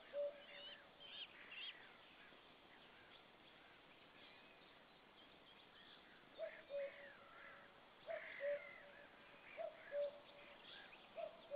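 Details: Common cuckoo heard on 4 May 2013 near a white-tailed eagle: after several seconds of quiet background birdsong, distant falling two-note "cu-coo" calls start and repeat roughly every one and a half seconds.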